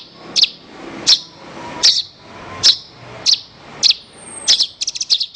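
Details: Horsfield's bush lark song kept for training songbirds: loud, sharp high chirps spaced under a second apart, ending in a quick stuttering burst of short clipped notes.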